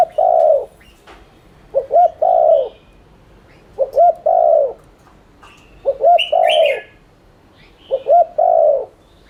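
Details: Cooing of a spotted dove meant as a lure to stimulate cooing; steady series of five phrases, each two brief rising notes then a longer sliding coo, repeated every two seconds, with scattered high bird chirps.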